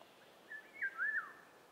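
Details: A Eurasian golden oriole, found in Germany only in spring and summer, gives one short, fluty whistled phrase that swoops up and then down, lasting under a second, over a quiet background.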